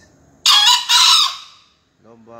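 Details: One crow from a young male green junglefowl entered in a national crowing contest, Surabaya, 5 a.m.: two loud, scratchy bursts in quick succession, then a man speaking.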